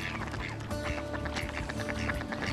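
Mallards give rapid, overlapping harsh quacks in a dense chorus. A steady tone, probably background music, runs underneath.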